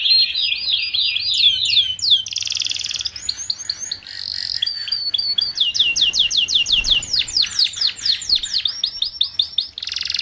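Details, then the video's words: Tutor song from a young canary for group-caged young canaries to pick up singing quickly; varied tours alternate curved chirp runs, dense buzzy stretches and fast sequences of downward-swept notes. "Kicauan Kenari Paud"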